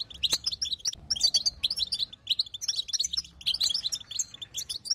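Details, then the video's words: Female European goldfinch giving its twittering batbata calls, used to prompt a silent male goldfinch into song: dense bursts of high, sharp chirps and tinkling notes in quick clusters, with brief pauses between groups. "بتبته انثى جديده تحل مشكله الصمت عند الحسون"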